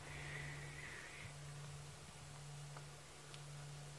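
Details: At sunset on an African safari drive on 20 July 2016, a black-and-white Magpie (long-tailed) Shrike gives one drawn-out, slightly wavering whistled note of just over a second, over the steady low drone of an idling engine.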